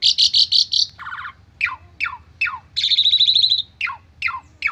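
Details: Stressed Asian pied starling giving lure song: a grating rattle, repeated falling whistled notes roughly every half second, and a sustained buzzy trill between them.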